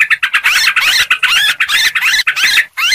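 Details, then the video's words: Noisy Sooty-headed bulbul lure sound: crowded, scratchy-edged warbling notes packed tightly together, ending with a brief pause and a final chirp. "suara pikat burung trucuk ribut"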